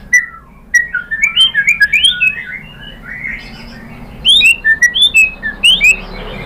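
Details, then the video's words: White-rumped shama song used to provoke other birds: a tangle of warbled whistles, a quiet stretch, then loud, sharp upslurred whistles repeated in quick succession. "KICAUAN MURAI BATU bikin NYAUT ikut BUNYI jadi GACOR BONGKAR MATERI ISIAN ¦ PANCINGAN MURAI"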